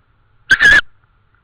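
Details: Estonian tawny owl at 21:41 on 24 May 2013, reacting to something it heard with a beak clap: one abrupt, rasping double burst lasting about a third of a second, set in otherwise quiet surroundings.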